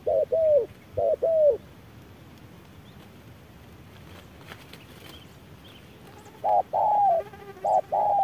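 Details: Spotted dove at midday in strong sun, a wild bird sparring with an electronic decoy; two short coo pairs open, a long quiet gap with faint rustling follows, then coos resume near the end.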